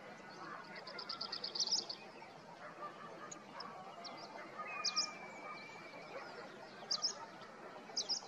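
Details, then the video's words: Fire-capped tit calling: a quick run of very high, thin ticking notes, then sharp high notes about every two seconds, with a faint long whistle and steady background hiss. "fire capped tit"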